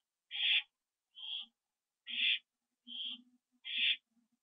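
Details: Owls returning to their nest at 7:08 PM on 27 September 2011, giving five rasping, hissy bursts about every 0.8 seconds, loud ones alternating with softer, shorter ones, and faint low clicks between.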